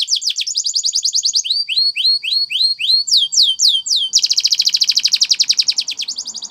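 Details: Spanish Timbrado canary training song with varied tours: quick high trills, a series of rising slurred notes, a few falling sweeps, then a dense rapid rolling trill.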